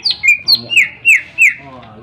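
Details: Sharp whistles of a greater green leafbird, sung to goad other birds into singing: five clear notes sliding downward, each about a quarter second apart, over a faint low hum.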